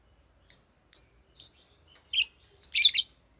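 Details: Green lovebird giving short, sharp high chirps, five spaced notes roughly every half second, the last two rougher and more buzzy.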